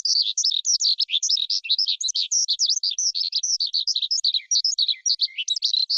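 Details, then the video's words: Forest skylark song: a dense, rapid, continuous warble of high twittering notes tumbling up and down, with a few lower dipping notes near the end and no gaps. "Tiếng Chim Sơn Ca Rừng Hót Hay Nhất"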